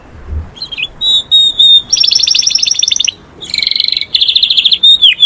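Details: Canary, called a master, singing to call friends and to fight; short whistled notes, then loud fast trills in two bursts with brief pauses, ending in a falling note.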